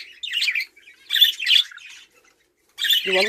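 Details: Budgerigars kept and bred at home as a hobby give harsh, scratchy chattering squawks in three bursts separated by short pauses, with a brief human voice at the very end.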